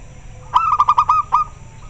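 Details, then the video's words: Local zebra dove giving a close, very clear rolling call: about seven quick pulsed coos in a row, then a final separate note, with a faint distant coo afterwards. "Suara perkutut lokal sangat jernih - denger suara nya pada respon nyaut"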